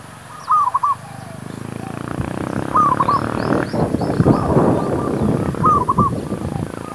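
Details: Zebra dove used to lure wild doves for trapping, giving brief phrases of quick, bubbling coos about every two to three seconds. Loud rumbling noise, like a passing vehicle, partly masks the middle.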